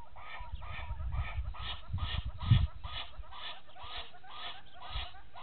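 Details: A pair of Egyptian geese at Gowrie dam, Djuma Game Reserve, Sabi Sand, South Africa, at 04:57 on 19 November 2018, give a steady run of harsh, nasal honks, about two or three each second, over a low wind rumble.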